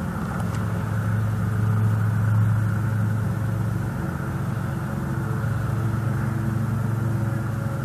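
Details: Steady low engine rumble of passing road traffic throughout, with a constant droning hum and no animal calls heard.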